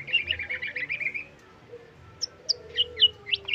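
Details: White-rumped shama trotol song full of isian: a rapid buzzy trill of warbled notes for about a second, a brief pause, then spaced high chips and whistles over a low hum.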